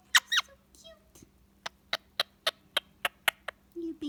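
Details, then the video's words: Pet Indian ringneck parakeet chattering in the evening beside its owner, with two loud squeaks and then a steady run of sharp clicks about three or four per second, ending in a short falling whistled note. "Adorable ringneck parrot making cute noises and talking"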